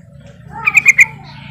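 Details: Yellow-vented bulbul calling out to rivals to lure other bulbuls into answering: three quick, bright chirped notes in a short run over a steady low hum.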